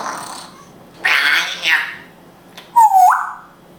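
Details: An Israeli pet African grey parrot speaking Hebrew utters a breathy, hoarse word-like phrase, then a clear whistled note that dips and jumps up to a steady higher tone.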